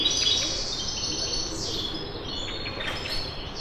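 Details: Birds tweeting in the morning in Kipseli, Athens, Greece, captured on a handheld recorder: overlapping high chirps and short twitters from several birds over a steady broad hiss of background noise.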